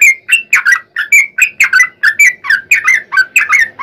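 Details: Yellow-vented bulbul (trucukan) in a lively, long rapid 'ropel panjang' song used as a lure to get other bulbuls singing: chattering, bubbly notes in quick pairs and triplets, rising and falling without pause.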